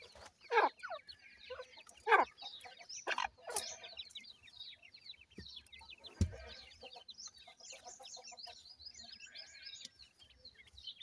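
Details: A grey francolin mother feeding chicks: three loud harsh rasping calls in the first few seconds, then a single sharp click, followed by a long stretch of soft, high, overlapping chick chirps.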